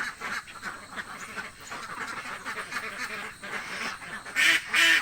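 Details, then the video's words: A flock of hungry ducks in a village quacks busily in overlapping, nasal calls, ending with a few much louder, closer quacks. "duck quack hungry sound effects"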